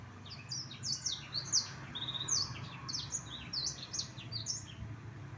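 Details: Black-throated canary in lively song, quick high chips and downslurred whistles tumbling in irregular clusters over a steady low background rumble.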